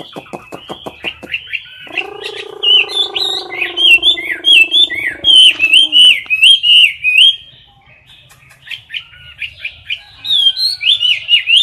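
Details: Caged Chinese hwamei singing in competition style, recorded close to the cage bars: loud, rapid, bright whistled warbling with rich twisting phrases, briefly overlaid by a low steady droning tone.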